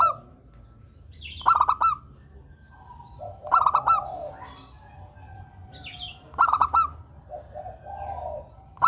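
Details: Active local zebra dove singing melodiously, kept as a lure for other birds: repeated staccato cooing bursts roughly every two and a half seconds, each trailing into a softer purr, with faint high chirps between.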